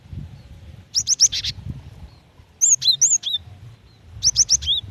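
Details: Female cinereous tit calling to attract the male, with three bursts of bright, high chirps, quick rising notes and falling whistles, about one and a half seconds apart over quiet low noise.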